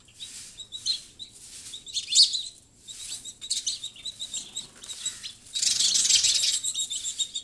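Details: House sparrows chirping in a lively, irregular stream of short high chirps, with a louder dense burst of overlapping chatter near the end.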